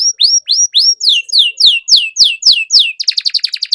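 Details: Canary in vigorous song, played to get silent canaries singing again: a regular series of upswept then downswept clear whistles, about three per second, breaking at the end into a quick staccato trill.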